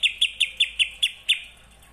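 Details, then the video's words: Greater green leafbird singing in the kapas tembak style: a string of seven short, sharp chirps about every fifth of a second, high and bright, fading at the end. "CUCAK IJO RASA KAPAS TEMBAK"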